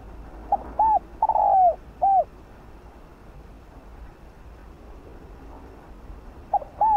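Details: Spotted dove, a decoy bird cooing to lure wild doves: a phrase of two short hollow coos, a longer falling coo and a final coo, then a new phrase starting near the end; faint background hiss.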